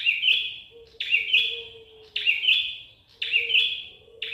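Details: Prinia singing a series of loud, buzzy high notes at roughly one-second intervals, each phrase starting strongly and tapering off, with a faint low steady tone underneath.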